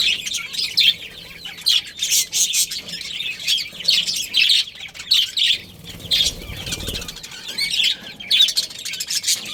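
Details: Colony of budgerigars including a breeding pair, steady high-pitched chirping and twittering from many birds, arriving in clustered bursts roughly every second, with a brief low rumble near six seconds.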